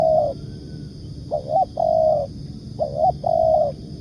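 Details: Spotted dove (tekukur) calling: repeated hollow coos in pairs, a short wavering note followed by a longer steady one, the phrase given about every one and a half seconds, with a faint steady hum behind.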